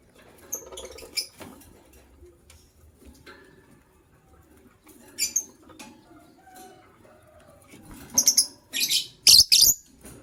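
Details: Morning chirping from a pair of white lovebirds: quiet rustling at first, then a cluster of loud, harsh, high squeaky chirps near the end, closely bunched.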